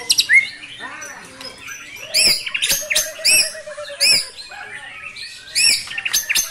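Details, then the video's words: White-rumped shama singing 'brantakan' filler material: separated bright phrases of down-slurred and hooked whistles with chattering notes, a steady low hum under part of the passage, pauses of about a second between phrases. "Murai GACOR bongkar MATERI * isian BRANTAKAN"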